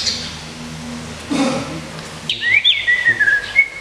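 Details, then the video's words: Captive competition white-rumped shama (murai batu) during its moult care period gives clear, fluting whistles that slide up and down in short phrases, after a quiet stretch with a faint low hum. "SUARA BURUNG : Perawatan Mabung Murai Batu Legend Seruling Raja."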